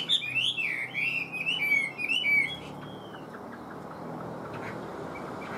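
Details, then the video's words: Chinese hwamei singing a brief, loud phrase of looping whistled slurs lasting about two and a half seconds, followed by near quiet with faint background noise. "Ngũ trường bộ to, hót tốt, bóng bộ cực đẹp | Họat Họa Mi"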